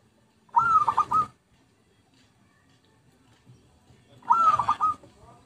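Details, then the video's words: Two short zebra dove coo phrases, each a rapid rippling run of soft notes, about three and a half seconds apart, recorded as a lure; faint low background noise between. "Pikat Merbuk/Perkutut PALING AMPUH"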